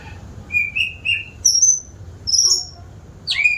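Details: Eager singing white-rumped shama delivering short bright whistles at varied pitches, some very high and sweeping, in brief separated phrases ending with a rich descending flourish; faint low background hum.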